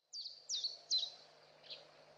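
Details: Saker falcon chicks at a nest in Hungary, 11 May 2012, picked up by a nest webcam: three sharp, high, downslurred squeals in quick succession, then a fainter fourth, over a steady low hum.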